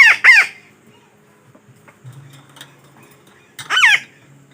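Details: Trapping lure call of a parakeet: two quick rasping squawks, a few seconds of near silence with soft hum, then one more loud harsh squawk.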